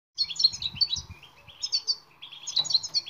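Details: European goldfinch singing in a training recording meant to make silent goldfinches sing: rapid, tinkling twitters and buzzy trills in quick bursts, with soft low thumps near the start.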